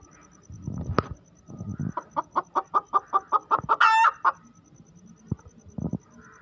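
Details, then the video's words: Chicken hen cackling after laying an egg, about a dozen evenly spaced clucks building into one loud, drawn-out squawk, followed by scattered low knocks; a faint steady high tone runs underneath. "Hen noise after laying egg"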